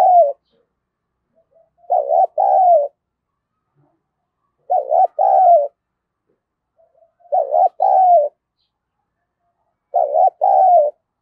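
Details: Provocative fighting calls from a decoy spotted dove: four clean double-coo phrases after a clipped opening one, each a short hollow note then a longer descending note, evenly spaced about two and a half seconds apart in a quiet setting.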